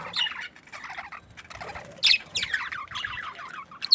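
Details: Happy budgerigars giving scattered, warbling chirps in short bursts with brief pauses between them, then a louder, sharper squeaky note near the middle and another at the end.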